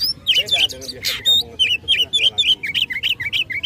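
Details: Oriental magpie-robin fighting song to rouse rivals: a fast run of repeated downslurred chirps, about four per second, opening with a harsh rasping burst.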